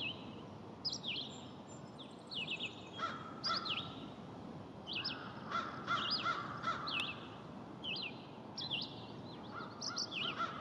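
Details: Red-eyed vireo (Vireo olivaceus) singing in W. Lawrencetown, Nova Scotia, on June 4, 2020: short, slurred whistled phrases, alternately rising and falling, about one per second, with another bird's lower repeated notes and a steady hiss underneath.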